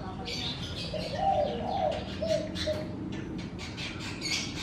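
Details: Morning outside a house, where lower cooing or whistled phrases stand out in the middle, with faint high chirps behind them.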